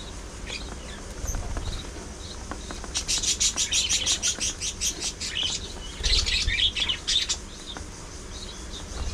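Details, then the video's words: Pet budgerigars in a chatty group that sings, squabbles and grooms give two bursts of fast, repeated high chirps, several per second, with quieter single notes before and between them. "Budgies Being Budgies: Non-Stop Fun, Fights, Love & Chirpy Chaos!"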